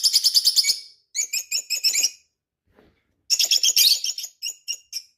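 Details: Indoors a pet parrot chatters in rapid strings of bright, high chirps, each burst lasting about a second with quiet gaps between, the last few notes spaced out and squeaky.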